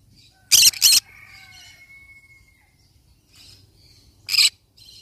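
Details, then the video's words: Yellow-sided conure parrot letting out a rapid double screech, then a long thin whistled tone, soft chatter, and one more harsh squawk near the end. "Yellow sided conure parrot bird sound"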